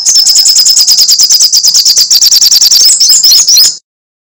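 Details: Sogok ontong or srigati sunbird in full voice: an unbroken string of very fast, piercing ticks in crecetan style, rising into a squeakier twittering flourish before stopping abruptly.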